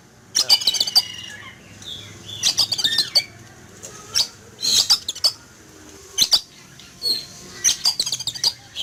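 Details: Caged Oriental magpie-robin, set out in a yard to sun in the morning, frightened and noisy after spotting an eagle flying; harsh, scratchy high bursts in clustered volleys, separated by brief pauses, with thin whistled notes between them.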